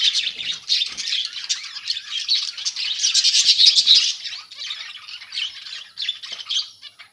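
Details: Budgerigars kept together in a colony rather than cages, a dense flock of chattering, warbling calls with sharp chirps and squawks overlapping continuously, several birds at once.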